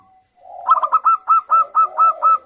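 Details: Lure song of a local zebra dove with a crystal-clear voice, meant to get other zebra doves singing; a soft low murmur builds into about eight evenly spaced, bright hooked notes, each clipped short at the end.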